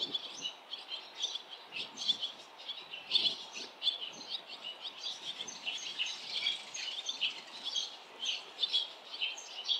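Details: Barn swallows on a street with many nests at fledging time, parents and other fledglings flying in around a last chick still in its nest; continuous high, thin chirps and twitters overlapping throughout against faint background noise.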